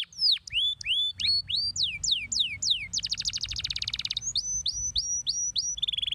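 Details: Canary (kenari) in a masteran tutor song recording: a series of downslurred whistles, then a fast buzzy trill, then repeated rising-and-falling notes, ending on a steady held tone.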